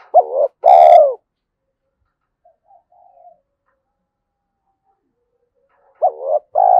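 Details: A spotted dove with a 'giọng thổ' voice, said to suit forest luring, coos twice about six seconds apart: each phrase a quick upslurred note then a drawn-out full tone, with faint soft notes between.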